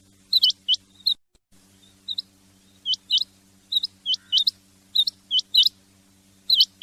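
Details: Male and female rain quail calls used for hunting: piercing high paired notes, each sharply hooked, given in bursts with short gaps, over a constant low electrical hum throughout.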